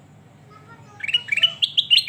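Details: Bulbul song: after a quiet start, a brisk series of bright, rising whistled chirps, each short and slightly slurred upward, coming in quick uneven succession.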